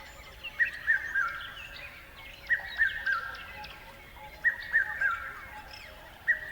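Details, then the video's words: Bird chirping in clear, spaced bursts: a loud three-note falling whistled phrase repeats about every two seconds, with quieter twitters from other birds behind it. "Beautiful Birds Chirping Sounds"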